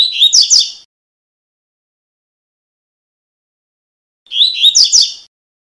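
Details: Double-collared seedeater gives two bright, high, rapid phrases of the tuí-tuí song type, used as a tutor song to teach young birds.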